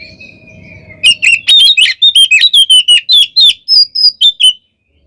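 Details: Oriental magpie-robin fighting song, played as bait to stir other kacer: after a thin drawn-out whistle, a quick series of about fourteen sharp, ringing clipped notes, about four per second.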